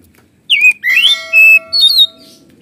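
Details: Kacer, the Oriental magpie-robin, in 'gacor ngeplong' song rich with 'isian' fillings: a falling whistle, a rising slurred note, a steady held whistle and a final warbled phrase, with a faint steady hum underneath.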